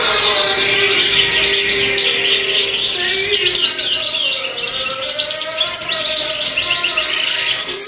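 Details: Song of a black-mutation European goldfinch: fast, tinkling chatter of high chirps and trilled phrases running without a break, with a low steady tone in the background.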